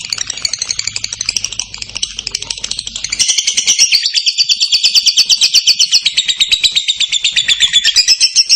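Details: Long clear lovebird ngekek trill, used to spur other lovebirds into song: a continuous rapid high-pitched chatter lasting the whole stretch, growing louder and steadier after a few seconds, with a faint low hum early on.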